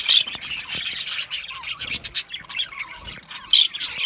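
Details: Aviary colony of budgerigars chirping together, a dense, unbroken chatter of overlapping high squeaky chirps and warbles with no pauses.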